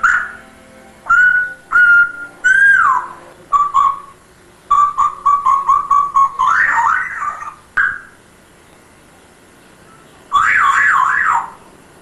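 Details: Pet grey parrot hatched 10 January 2000, talking and imitating sounds: a string of clear whistled notes, short steady tones and rapid stuttering whistles, then warbling wavering whistles, with pauses between phrases.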